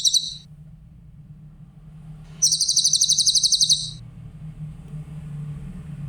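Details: Clear song of a Grey-headed canary-flycatcher, a recording used for tutoring other songbirds: a short high trill fragment, then a longer rapid pulsed trill of about twenty notes, with a faint low hum throughout.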